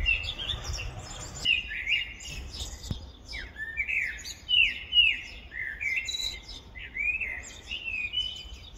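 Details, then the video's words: Spring song of a male Common Blackbird, Vallagarina, Trentino: a flowing run of fluty, downslurred whistles mixed with thin, high twittering notes, almost continuous with little pause. "IL BELLISSIMO CANTO CANORO PRIMAVERILE del MASCHIO di MERLO COMUNE"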